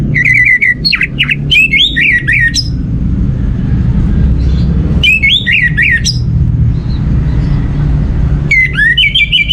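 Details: Orange-headed thrush singing as a lure for other birds: three short bursts of quick whistled and chattering notes separated by long gaps, over a steady low rumble.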